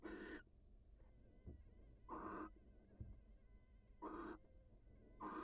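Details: Wild barn owls at the nest as the female leaves to greet her mate; broad raspy hissing bursts repeated roughly every two seconds, with faint thin whistled tones and low background rumble between them.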